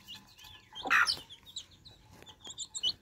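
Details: Baby chicks quenching their thirst at fresh water give short high peeps, some slightly falling, around one loud broad burst near the first second, with fainter peeps trailing after.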